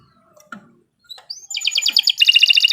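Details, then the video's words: Canary starting to sing: a few scattered faint clicks and soft notes, then a rising whistle leading into a dense, rapid buzzy trill. "Kicau Burung Kenari II GACOR PANJANG"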